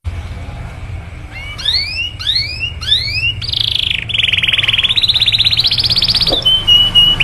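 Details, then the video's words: Canary singing a 'cuit cuit' lure song meant to stir other canaries into long rolls. After a quiet start come three upward-swept whistles, then a long fast buzzy trill that rises slightly and ends in a thin whistle. "PANCINGAN JITU SUARA BURUNG KENARI CUIT CUIT MANGGIL LAWAN MERANGSANG KENARI LAIN KEMBALI AKTIF"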